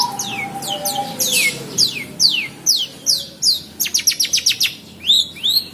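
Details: Kept long-tailed shrike, fierce when provoked yet singing, pours out a varied run of sharp downslurred whistles, then a quick burst of clipped ticking notes and a couple of upswept chirps, over a low whistle.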